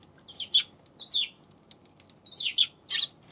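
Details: Eurasian tree sparrow, 7 February: pairs of bright, slurred chirps repeated at short intervals, with a few faint clicks between them.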